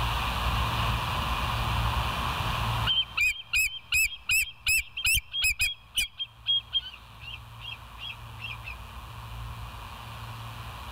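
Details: At the West End nest in the small hours of 09/11/2023, a bald eagle gives a rapid run of piercing, yelping chirps, loud at first and then trailing off into softer notes, over a constant low hum.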